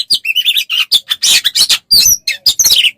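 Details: Oriental magpie-robin tutor song for training birds, packed with rapid chirps, buzzy rasping bursts and brief high whistles in a dense three-second burst.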